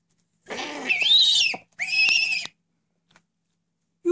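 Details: A 9-month-old female Eurasian eagle-owl greets her keeper after a long absence with two harsh, raspy screeches, the first about a second long and the second shorter, in a quiet indoor space.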